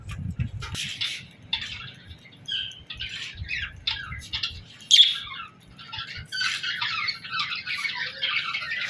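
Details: Parakeets chirping and singing in the morning, a steady mix of short chirps, squeaks and scratchy warbling throughout, with a brief low thump near the start and a sharp louder note midway.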